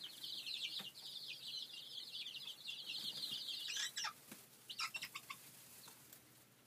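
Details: Chicks of a laying breed kept in a small brooder coop give a dense, continuous chorus of high peeps, with a few louder separate chirps toward the end.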